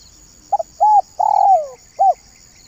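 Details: Spotted dove lure call used to attract doves for trapping: two brief coos, a drawn-out coo sliding downward, then a final short coo, against a constant high-pitched hum.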